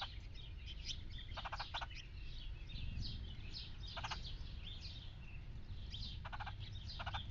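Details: A talkative red-headed woodpecker that has visited a backyard feeder daily for three months gives harsh, rattling churrs in short bursts, three spaced times, over twittering of other birds and a low rumble.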